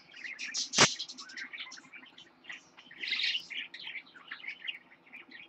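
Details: A pet lutino parakeet chick, born 26 October 2015, makes scratchy chirps and thin squeaky notes in an uneven chatter. There is one sharp knock near the start, with a louder buzzy cluster in the middle.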